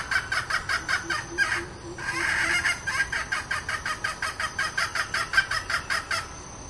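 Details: Female decoy red junglefowl used to lure wild birds, calling in full: rapid clucking notes repeated three to four times a second in a steady run, with a brief louder rasping burst partway through.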